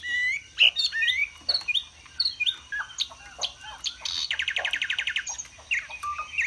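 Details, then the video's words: Captive Chinese hwamei in a long display with high-pitched singing: mixed whistles, slurred notes and chatter, then a fast buzzy rattle of rapid repeated notes before more varied phrases. "Họa mi xòe vip, xòe bền, hót cao cầu"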